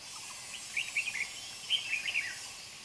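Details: Wild red-whiskered bulbul, an old bird with a dark bib kept for trapping and prized for its fast voice, gives two quick runs of clear chirping notes that rise and fall, over a faint insect-like hiss.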